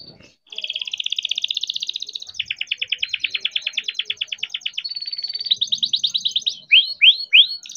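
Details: Young captive-bred canary singing a long rolling song, played as a lure to set other canaries singing: fast buzzy trills shifting pitch every second or two, ending in three loud rising-falling swoops.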